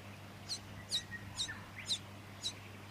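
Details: Fuscous honeyeater in Victoria, Australia, September 2019, giving crisp, high, slightly downslurred notes repeated about every half second, with a few lower soft whistles underneath and a constant low background hum.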